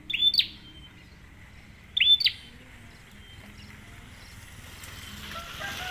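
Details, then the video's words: Bar-winged prinia (prenjak) lure call: two sharp, high, flicked chirps two seconds apart, then only rustling background noise. "prenjak Tamu"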